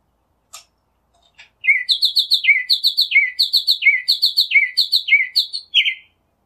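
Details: Singing northern mockingbird in nature: after a couple of clicks, a long run of rapid repeated chirping notes, each a quick downward slur followed by higher ticks, delivered steadily for four seconds.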